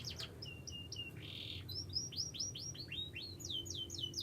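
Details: Young canary singing: thin high chirps and short whistles, then a quick run of repeated downward-sweeping notes, over a low steady background hum.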